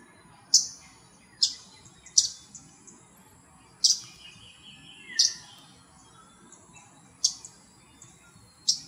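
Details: Arctic warbler calling on November 18, 2021: sharp, short, clicking notes given singly at irregular intervals of about one to two seconds, with a faint steady high hiss and a soft thin note from another bird in the background.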